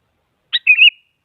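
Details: A single sooty-headed bulbul phrase, meant as a rival-provoking lure for a silent bird: a short high chip, a tiny pause, then a liquid, rolling whistle that rises slightly toward its end. No other sounds.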